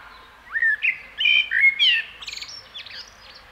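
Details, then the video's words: Common blackbird delivering a flowing, fluty warble of several looping notes, ending in a rapid, chattering flourish of thin high sounds; no other clear noises. "Kos / Common blackbird / Turdus merula"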